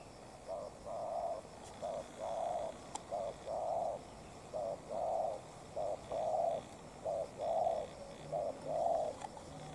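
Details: Spotted dove used as a decoy to challenge a wild bird, giving repeated paired hollow coos, a short note then a longer one, in a regular rhythm, with a faint click.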